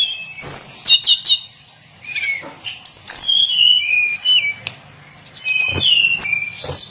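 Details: Hill blue flycatcher's daily song: chattering trills and short twitters, then smooth whistled phrases that rise and fall, interrupted by faint clicks.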